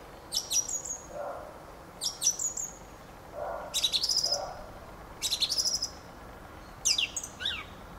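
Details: Song of a Fieldfare: five brief phrases, each a scratchy chack-like burst running into thin squeaky whistles, repeated roughly every one and a half seconds.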